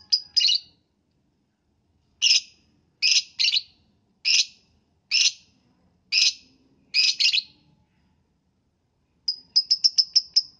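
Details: Morning lovebird calling to set other lovebirds singing: harsh, raspy high chirps, some paired in quick doubles, separated by short silences, ending in a fast burst of six rapid shrill notes.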